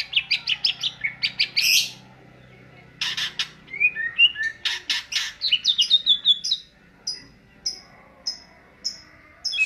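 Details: Greater green leafbird (cucak ijo) singing in the ngentrok style: rapid bright chirps and whistled, down-slurred high notes, a few harsh bursts, then a run of short, evenly spaced high notes repeated about twice a second.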